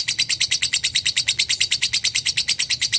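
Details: Lovebird performing an extended ngekek: very regular, grating high chirps pulsing roughly three per second throughout, evenly loud and unbroken.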